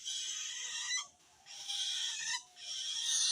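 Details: Harsh scolding calls of a long-tailed shrike threatened by a rival shrike, calling to wild shrikes: three long, grating, broadband rasps with brief gaps between them.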